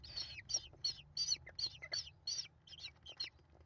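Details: American kestrel nestlings, five of them, calling while being fed by their mother on 28 May 2021; high buzzy squealing notes repeated about three times a second, fading slightly toward the end.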